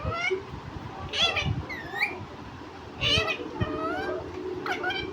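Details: Talking pet parrot mimicking words such as "mummy papa": short, speech-like phrases with squeaky, whistled overtones, separated by brief pauses. Background hum is present.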